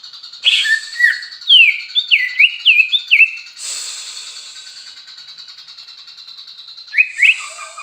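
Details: Song of a greater green leafbird: looping, swooping whistles that rise and fall in a rapid series, a sudden harsh burst, a sustained buzzy chatter, then fresh slurred whistles at the close.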